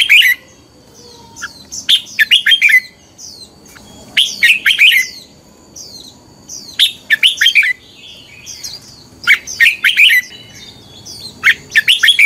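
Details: Red-whiskered bulbul in morning fighting-song training, singing repeated rich warbled phrases of several quick slurred notes every two to three seconds, with thin high twitters from other birds in between.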